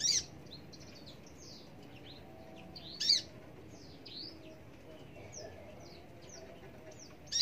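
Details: Australasian bushlark, race parva, gives loud bursts of sharp, buzzy high notes about every three seconds, with softer sliding whistles and chirps filling the gaps between them.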